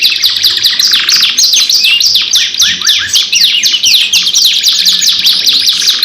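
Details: Two canaries deliver an unbroken lure song of fast, shrill, zigzagging notes and twitters, dense and loud throughout with a brief trilled passage.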